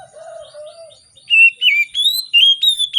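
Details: Oriental magpie-robin morning song used to prompt reluctant birds: a soft low warbled note, then a quick series of loud clear whistles rising and dipping, about three each second.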